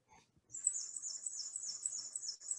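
Black-and-white Warbler song: a very high, thin run of rapid squeaky notes, like a rusty wheel turning fast, for about two seconds.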